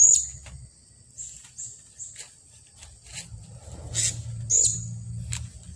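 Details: Blue-crowned hanging parrot (serindit), a staked decoy bird, calling angrily after a luring session on 15 June 2020; thin, very high squeaky notes, sharpest at the start and near the end, over a steady high whine and low rumbling background.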